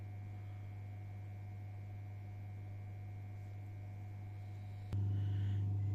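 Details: Quail eggs in an incubator during the first hatching pips, heard only as a steady low electrical hum, with a sharp click near five seconds and then a louder hum.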